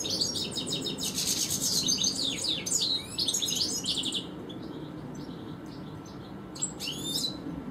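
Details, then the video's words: European goldfinch, one of two in a garden, giving an energetic burst of rapid high twitters and slurred whistles for four seconds, then a quieter spell broken by a few sharp notes. "Goldfinch Stieglitz, Stillits, Jilguero Europeo,Jilguero, tikli, Chardonneret , Þistilfinkadellino"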